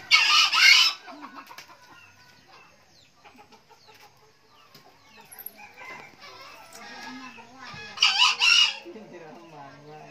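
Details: Green junglefowl, an old bird that crows often: two brief harsh, buzzy crows about seven seconds apart, with human speech and low background noise in between.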